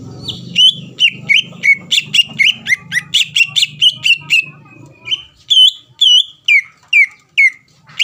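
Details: Greater green leafbird singing to goad rivals into replying: a quick series of sharp whistled, slightly buzzy notes over low hum, a short lull, then louder looping whistles spaced about half a second apart.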